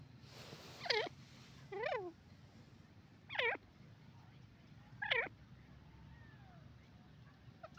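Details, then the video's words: Grey francolin calling: loud, ringing, harmonic notes with a quick falling-rising shape, repeated roughly every one and a half seconds, over a steady low background hum. "beautiful bird teetar awaz,top sound teetar bird"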